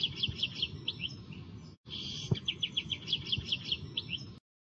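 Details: European goldfinch singing in the klakla style. Quick runs of bright, high, clipped chirps repeat in rapid series. There is a short break before the bird resumes with a similar rhythmic string of notes.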